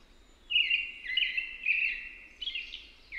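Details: Singing American robin: a run of connected warbled whistles, sliding down then back up, flowing almost without break across the whole stretch, with faint steady background noise.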